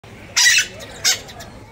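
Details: Scarlet-fronted parakeet (Psittacara wagleri) gives two harsh, grating screeches, a longer one then a short one, high and raspy against faint background hiss.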